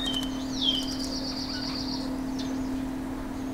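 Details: Male chestnut-bellied rock thrush: a long, high, slightly wavering whistled note, lasting about one and a half seconds, that follows a brief downslurred note. A steady low hum runs underneath throughout.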